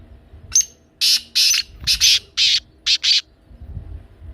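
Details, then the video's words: A loud, clear black francolin call of about seven rough, buzzy syllables with uneven spacing. A short sharp lead-in note starts the series. "کالا تیتر کی بولتی آواز سن کر تیتر مست ہو جائے"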